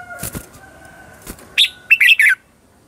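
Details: Red-whiskered bulbul lure song for training competitive singing: after soft fluttering and a faint steady whistle, one sharp note then a rapid tumbling run of three bright chirps, ending abruptly.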